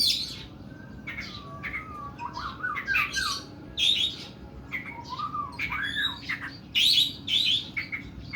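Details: Oriental magpie-robin in long, rough song: varied gliding whistles mixed with harsh squawky bursts and rapid high notes, almost continuous throughout.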